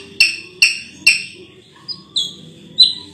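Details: Ruby-throated bulbul with three sharp, clipped notes, then short whistled notes that slide downward, loud and close.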